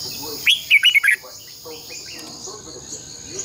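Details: Decoy song of a red-whiskered bulbul for morning training of caged birds: one fast phrase of four or five bright, bubbling whistles rising and dipping, followed by soft background chirping and a high hum.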